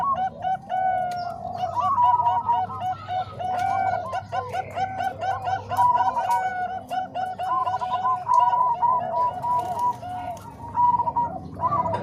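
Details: Zebra doves of the Bangkok and Cemani Kolbuntet types, their voices combined as a training recording for other doves: dense overlapping cooing notes, short rounded and repeated, with several birds calling at once over a steady low hum.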